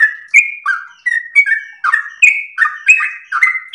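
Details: Long-breathed melodious song of a sooty-headed bulbul, used to train and provoke other birds: uneven whistled phrases, some rising and some falling, each with a bright click at onset.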